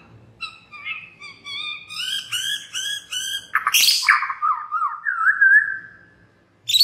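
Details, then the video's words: White-rumped shama lure song to get other birds singing: a series of repeated harmonic upslurred notes quickening in pace, a harsh burst, then wavering descending and level whistles. "murai batu MANA SAJA Bakalan ikutan RAME dan BUKA PARUH dengan pancingan ini"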